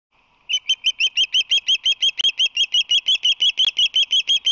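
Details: Osprey calling at the Whirley Crane nest on March 22, 2019, with a visitor at the nest: a rapid run of sharp, high, piercing chirps, about three a second, steady and evenly spaced after a brief quiet start.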